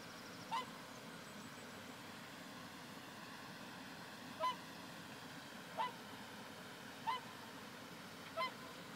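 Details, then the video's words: A flying pair of whooper swans (Cygnus cygnus), a species breeding in Lithuania, communicate with short bugling honks, five calls spaced about one to two seconds apart, over a steady rushing background. "pair of swans flying, communicating with sounds"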